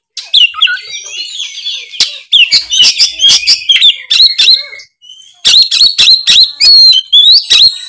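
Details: Oriental magpie-robin in active, full ngeplong song: a dense stream of bright whistles and rapid chirps, a brief break, then loud, evenly spaced sharp notes with whistled slurs.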